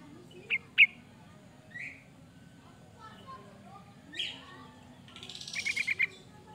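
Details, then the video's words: Varied sooty-headed bulbul song for bird luring: two sharp notes, scattered softer slurred whistles, then a quick run of five short, evenly spaced notes at the close, with a low steady background hum. "Suara burung kutilang Fariasi"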